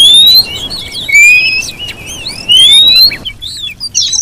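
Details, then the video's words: Female Oriental magpie-robin whistle, used to lure and provoke a male into singing: clear, rising whistled slurs with thin high overtones, several in a row, then short high chirpy notes at the end. "Coba Siulan Kacer Betina ini dulu siapa tau cocok buat Pancingan bikin kacer Bergaya"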